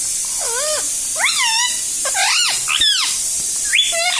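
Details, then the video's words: Talking parrot repeating "Mummy": five or six clear, looping harmonic syllables that swoop down then up, spaced roughly every half second, over a steady background hiss. "Parrot talking video Mummy"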